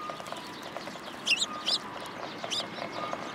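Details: Sparrows coming to take food from a pillar at a Tenmangu shrine on 27 January 2023, with white pigeons nearby: three sharp, high chirps in quick succession, then a fainter one, over a low steady background hum.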